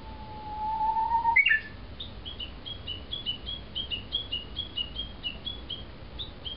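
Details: Japanese bush warbler singing loudly in early morning in a neglected home garden in Kawasaki, Kanagawa: a long low whistle that swells, a sharp flourish, then a fast run of short high chirping notes repeated about twice a second.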